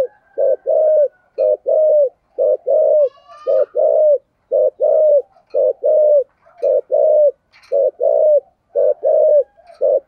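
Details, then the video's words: Long run of spotted dove song in the thổ cúc đình voice: about ten regular couplets, short pulsed coo then longer falling coo, roughly one per second. Faint ticks and chirps sound underneath. "cu gay giong tho cuc dinh/ chim cu gáy giọng thổ"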